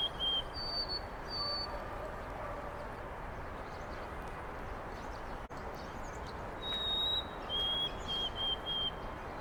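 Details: White-throated sparrow in Carl Schurz Park, New York City, on 25 March 2021. Two bouts of clear, pure whistles: one steady note, then a higher note held and repeated. A broad low city hum runs underneath.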